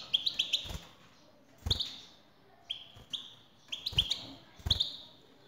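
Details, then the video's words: Male European goldfinch singing in response to a recorded female call: bright, tinkling twittered phrases with quick rising chirps, given in short bursts with pauses, mixed with low dull knocks. "حسونك سيغرد مع هده البثبثة Goldfinch singing"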